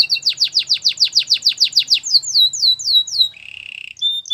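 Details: Canary singing a training song: a rapid string of about twelve loud, down-slurred whistled notes. Lighter rising chips follow, then a short buzzy trill and a brief clear note.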